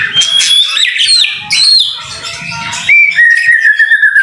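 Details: White-rumped shama singing vigorously in the rain, a tutor song for training: loud clear whistles and sweeping slurred notes, then a run of rapid, evenly repeated whistled phrases near the end.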